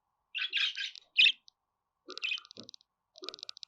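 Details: Budgerigar chattering in fast harsh chirps, followed by sequences of rapid clicking ticks and a few lower notes.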